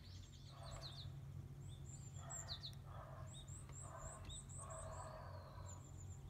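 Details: Warbling white-eye in the wooded hill behind a house, heard as the season's white-eye calls begin, gives thin, very high, short chirps in quick runs, with lower bird notes and a steady low rumble behind. A Japanese tit was also present.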